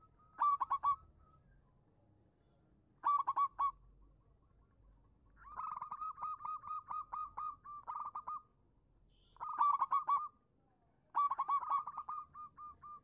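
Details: Lure song of a local zebra dove meant to draw a reply from doves that have stopped singing: repeated bursts of fast rippling coos and longer strings of soft, regular clipped notes, with faint background rumble.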